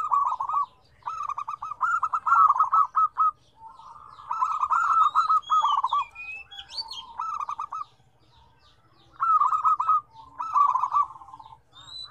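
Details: Zebra dove song from a busy set of five combined voices with varied tones. Rapid bubbling coos roll in phrases of several quick notes and pause between bouts. A soft low hum runs underneath, and small birds chirp high and faint.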